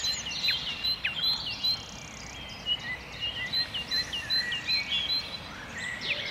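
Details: At sunrise in a seven-hectare park in Saint-Brieuc, France, a great tit sings to mark its territory: quick, bright, repeated two-note phrases, high and ringing, over a busy dawn chorus and steady background hiss.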